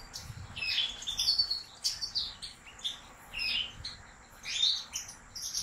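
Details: European goldfinch kept by a professional breeder, singing a fast, liquid twittering song of high tinkling notes and short buzzy trills in near-continuous phrases with brief gaps.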